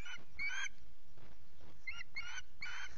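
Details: On a misty morning at RSPB Loch Garten, a male Osprey that fished well gives harsh, emphatic notes in a loose series, with low rumbling noise between them.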